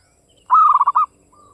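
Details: A single phrase from a local Javanese zebra dove with a crisp, dry voice: one bright cooing note that breaks into four quick rolling pulses, lasting about half a second, with a faint faraway call afterward.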